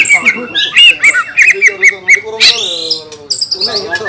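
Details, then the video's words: Green leafbird in lively full song, used as a lure to provoke other green leafbirds: rapid run of bright whistled and squeaky notes, clicks and short buzzy bursts, a harsh rasp midway, varied mimic-like phrases throughout. "PANCINGAN CUCAK IJO GACOR,SUARA NYA BIKIN BURUNG CUCAK IJO LAIN LANGSUNG EMOSI"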